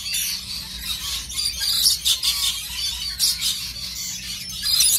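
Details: A lorikeet parrot pair courting give a steady, harsh, high-pitched stream of screeches and chatter, with shrill squawks overlapping throughout.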